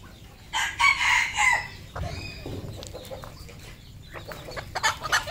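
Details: A local red junglefowl decoy bird gives a loud, harsh crow lasting about a second. Softer clucks, scattered clicks and rustling follow.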